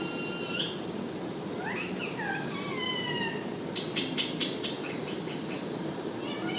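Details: ['Parrot producing a series of harmonic calls: a short note, then swooping upward-and-downward notes and level tones, followed by a rapid run of clicky pulses, over hissing background noise.']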